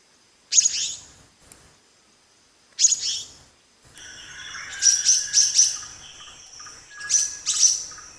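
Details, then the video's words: Black-naped monarch giving sharp, high, scratchy chirps, singly at first and then in a quick cluster of three or four, with short pauses between bursts against a quiet outdoor background. "Black naped Monarch Song | Black naped Monarch Sound"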